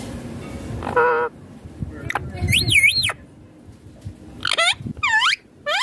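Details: Indian ringneck parakeet, a green talking parrot, giving a short buzzy note, then a loud wavering double-arched screech, followed by several sharp arched calls in quick succession.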